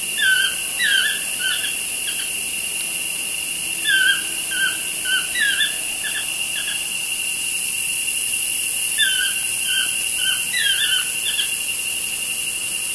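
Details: A pair of toucans outside a studio window trade repeated bouts of quick, descending yelps, two main runs of several notes each, with a constant high-pitched insect chorus in the background.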